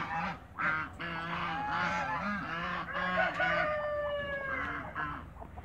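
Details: Domestic African geese honk while meeting other waterbirds in a backyard. Repeated brassy honks come in a rapid, irregular chorus, with several birds calling at once and low grunting notes beneath.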